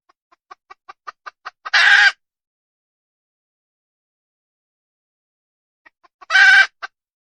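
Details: Wild red junglefowl hen giving a series of accelerating clipped clucks that build into a loud, raspy squawk; after a pause, a few more clucks lead into a second squawk.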